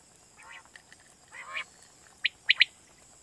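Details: Quail lure call for night hunting in Pakistan, recorded against a noisy hiss: two faint nasal, wheezy notes followed by a bright, clipped triplet of whistled notes and the start of another.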